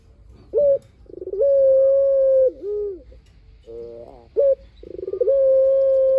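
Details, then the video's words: Lively spotted dove giving long coo phrases as a lure for other doves to answer: a clipped note, a rapid rolling lead-in and a long steady coo dipping at the end, repeated twice with a soft coo between. "PUTER GACOR SUARA PANJANG | PANCINGAN BURUNG PUTER"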